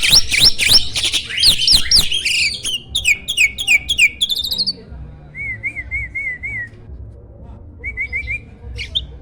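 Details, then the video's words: Loud, varied song from a champion jalak starling kept as a training master: rapid rising whistles and rattling chatter in fast runs, then quiet gaps broken by soft undulating whistled trills. "MASTERAN BURUNG JALAK SANG JUARA!!"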